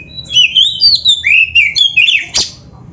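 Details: Kacer, the Oriental magpie-robin, in a short loud phrase of its 'gacor' song: a fast sequence of high, sliding whistled notes ending with a sharp click-like note.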